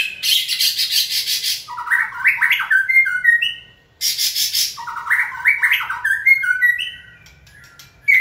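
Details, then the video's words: White-rumped shama kept for song training sings when stimulated: harsh, noisy bursts open each of two phrases, which then turn into rapid stepped whistles and warbles, then fade. "Kỹ thuật kích thích lửa cho chim hót (shama bird)"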